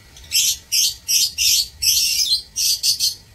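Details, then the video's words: Caged lovebirds in an aviary, 16 March 2024, chattering in rapid shrill bursts: about eight harsh, high chirping pulses in just over three seconds, with a longer run of notes in the middle, over faint low background hum. "Aviary Lovebirds"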